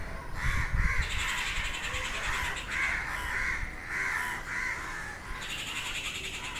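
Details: Crows calling restlessly at midday among agitated birds. Bursts of rough cawing come in waves about a second apart. Rapid, rattling high-pitched chatter joins near the start and again toward the end.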